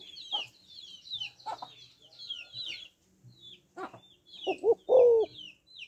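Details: Female spotted dove calling to stimulate males: a few short, low, hollow coos cluster near the end, preceded by soft knocking sounds, while thin high chirps from other small birds run through the whole recording.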